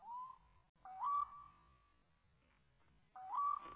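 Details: Wild white-breasted waterhen being lured toward a decoy bird before being snared, giving a few rising tonal notes that level into a held whistle, with quiet pauses between calls.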